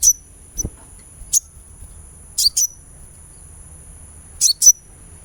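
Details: Sunbird sound meant to coax a bird into singing: scattered, crisp, high chirps, single and paired, some with a brief whistled tail, separated by pauses, over a steady thin high hum and a low thud.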